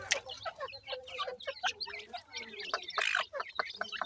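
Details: Francolin chicks, grey and painted francolins, during feeding; a busy mix of short high cheeping notes and soft clucks overlapping, with scattered clicks and bangs around them.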